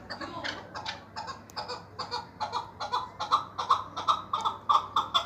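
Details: Chukar partridge repeating gruff chuck notes at a steady pace that grow louder and clearer toward the end, roughly two or three per second, with a low background hum.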